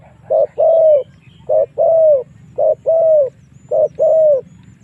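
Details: Spotted dove lure call for drawing wild doves into fighting: four evenly spaced phrases of a clipped coo followed by a longer, smooth coo, steady and loud.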